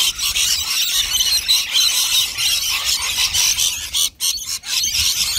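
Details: Many rainbow lorikeets feeding on nectar up close, giving loud, shrill overlapping screeches and chatter, with a few brief near-silent gaps toward the end.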